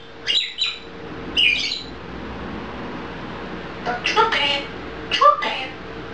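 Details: Grey parrot in a Czech home mixing clipped squeaky whistles with harsher word-like squawks, in uneven bursts about once a second.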